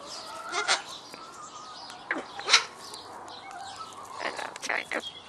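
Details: Citron-crested cockatoo at a poultry farm giving harsh, broadband screeches in separate bursts near the start, middle and end, while a person nearby coaxes it to talk.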